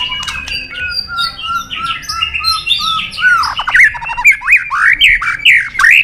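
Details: White-rumped shama singing in competition style, a contest bird: a series of soft repeated whistled notes building into loud, swooping, hooked phrases with sharp high chips.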